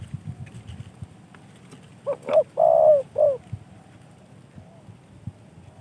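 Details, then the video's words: A hobbyist's kept spotted dove coos once after a low rumbling pause. The phrase is a short hooked note, a longer one, a sustained level coo and a brief falling coo, all mellow and low. "tekukur ajaran sanji"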